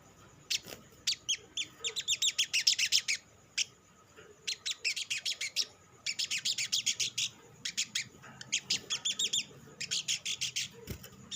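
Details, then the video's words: Olive-backed sunbird singing a stimulating lure song: repeated bursts of rapid, high, sizzling chip trills, each lasting a second or two, separated by short pauses across the recording. "SUARA PANCINGAN BURUNG SOGOK ONTONG; Merangsang sogon ijoan cepat bunyi"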